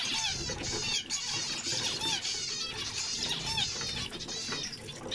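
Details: Chorus of zebra finch song with buzzy, wavering high notes and short nasal beeps repeating over steady low noise.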